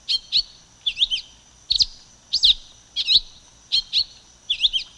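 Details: Silver-beaked tanager singing: short, high, sharp chirped phrases of two or three quick notes, repeated at irregular intervals about every half second to a second, with faint low thumps in the background.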